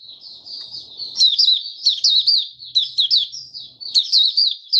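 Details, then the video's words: Caged white-eye singing at the start of its song: high twittering phrases of quick slurred notes around the upper register, repeated in bursts about every half second, with faint low rustling. "Mata Puteh Raja Stablizing his form buka sing"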